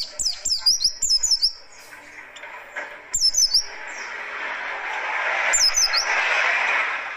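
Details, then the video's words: Harsh, rapid riwikan song of a buxtoni Oriental white-eye used to prompt and tutor birds: quick runs of high zigzag whistles, densest at the start, then sparser bursts as a rushing background noise builds. "Tembakan Kasar Buka Paruh Burung Pleci"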